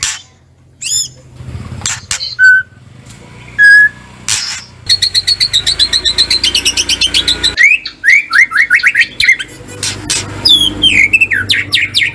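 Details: White-rumped shama, used as a kretekan lure to make the bird sing: scattered whistled notes, then a fast rattling series of clicking notes, then repeated slurred descending whistles.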